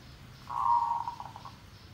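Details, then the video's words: Zebra dove song used as a trapping lure, tandang derak lebat style: one steady mid-pitched coo running into a stuttered run of about six rapid clipped notes, over faint background noise. "Suara Mikat Perkutut Merbok"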